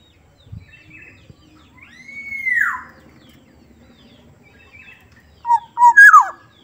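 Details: Black-naped oriole, a Sumbawa bird with a gentle voice: one long arched whistle falling away at its end, a quiet pause, then two short whistles and a sharply downslurred fluty note.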